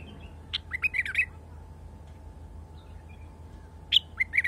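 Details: A wild bulbul sings two short bursts of bubbly, warbled notes a few seconds apart, over a faint steady hum.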